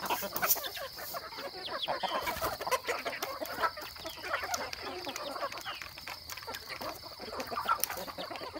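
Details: Rural farm chickens cluck continuously in a busy, low-level chorus of short repeated notes, with occasional sharper calls standing out, under a faint high whine.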